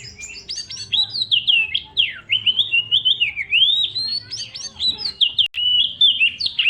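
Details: Young wild Oriental magpie-robin singing with full, persistent vigor: a long, flowing whistled phrase of rising and falling slurs, preceded by quick twittering notes, with a faint hum beneath.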